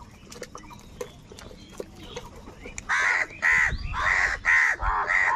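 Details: Crows fighting for food, calling in anger: after a quieter start with faint background noises, a run of five loud, harsh, hoarse caws follows in quick succession, each about half a second long.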